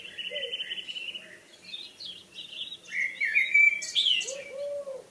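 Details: Evening birdsong: a long high whistle followed by quick warbled chirps and rising, twittering phrases that grow louder toward the end, with a low cooing note near the close.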